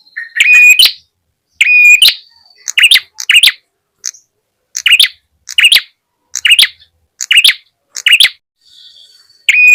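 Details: Ashy tailorbird lure sound for attracting birds: loud doubled and tripled chirps, some with a flat whistled tone, repeated at fairly even intervals with brief silent gaps.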